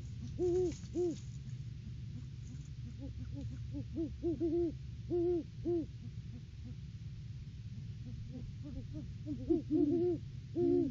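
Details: Two Great horned owls, a mated pair visiting their nest tree in the off-season before February egg laying, hoot back and forth: clusters of short, muffled low hoots, the two voices overlapping, with steady low hum beneath.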